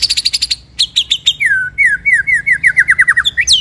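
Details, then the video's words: White-rumped shama in a masteran tutor recording of 'ngerol nembak' song: rapid high trill, then a rhythmic series of about fifteen downslurred whistles, closing with a sharp rising note. "MASTERAN MURAI BATU FULL NGEROL NEMBAK SUPER EDAN!!"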